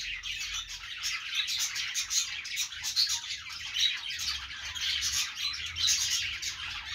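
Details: Several budgies on a perch pour out a lively, high chattering warble of quick chirps, with a faint low hum beneath.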